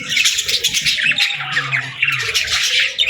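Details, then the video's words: Parakeets chirping in the morning: dense, overlapping high chirps and squawky chatter from several birds, continuous throughout with brief louder bursts. "Parakeets Chirping Sounds"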